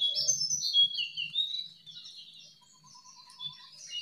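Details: Jongkangan calling freely outdoors, offered as a lure for caged birds that have gone quiet: a loud burst of sliding, high twittering notes that fades, then a faint buzzy insect trill.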